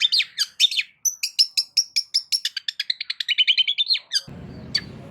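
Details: Long-tailed shrike (cendet) song used as a lure to provoke silent shrikes into responding: a fast, loud run of sharp chirps and mimicked notes, stacked high and repeated rapidly for about four seconds, then a brief burst of low noise.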